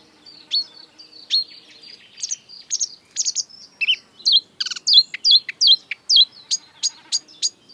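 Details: Lively marsh warbler singing during the breeding season, mixing mimicked European and African bird sounds: a quickening stream of whistled upslurs, sharp ticks and a short nasal buzz, growing louder toward the end.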